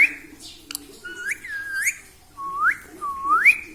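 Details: Pet parrot talking, imitating 'mummy papa'; a string of four or five whistled word-like syllables, each dipping and then rising steeply, spaced under a second apart in a quiet room.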